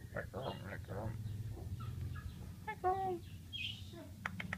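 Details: Asian pied starling, in full voice, imitating human speech: a string of harmonic, talk-like syllables and mid-pitched whistled notes, ending in short sharp clicks, over a low steady hum.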